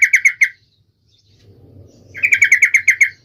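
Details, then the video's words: Song of a trucuk bird, played so other trucuk birds sing, with a quick run of four clear bubbling notes, silence, a low murmur, then a longer run of about nine repeated notes. "trucukan gacor FULL EMOSI TAJAM ini AMPUH MENJADIKAN agar supaya burung trucuk gacor seketika"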